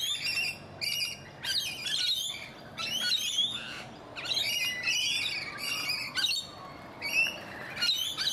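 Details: A flock of rainbow lorikeets in a Donvale garden in Australia keeps up near-continuous shrill screeching. Harsh squawks come in overlapping bursts separated by brief gaps.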